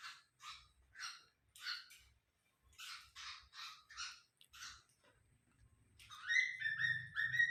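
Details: A pet cockatiel, possessive toward wild birds, gives a run of harsh, raspy screeches about twice a second for nearly five seconds, then after a pause a series of rising whistled notes over a low hum.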